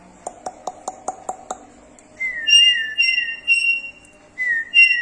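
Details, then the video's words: A common hill myna opens with six quick knocking clicks, then gives loud, pure whistles, some held level and some slurred, in two bursts. "MERDUNYA SUARA JALAK HONGKONG GACOR"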